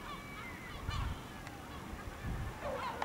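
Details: Village gulls flying over El Ortegal at dusk, scattered wavering cries and short yelps, a louder burst near the end, with faint low rumble beneath.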